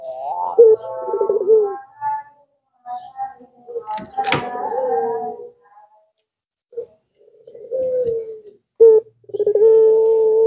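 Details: Barbary dove of the long-cooing pelung type, used as a lure to set silent doves calling: rolling, throaty coos drawn out into level low tones, with pauses between phrases and a brief clatter midway.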